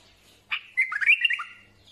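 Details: A single bulbul phrase of about one second: a sharp opening note, then a rapid, liquid run of whistled notes wavering up and down over a steady tone.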